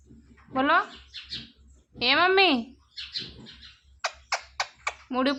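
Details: Pet parrot said to talk, asking for roti and saying "mummy": drawn-out wavering harmonic calls, one arching up then down, followed by a string of sharp clicks and a final rising call over a low background hum.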